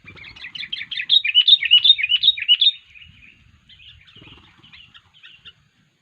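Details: Sooty-headed bulbul, with an odd call used to attract wild bulbuls: a rapid run of loud, repeated chattering notes that fades into softer, scratchy twittering.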